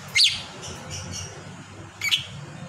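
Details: Lovebird making sounds in its sleep: two isolated short squeaky chirps about two seconds apart over a faint low hum.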